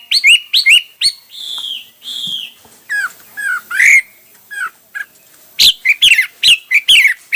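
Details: A hwamei delivers a mix of song styles: long level whistles, looping downward slurs, then bright, emphatic high notes repeated in quick succession near the end.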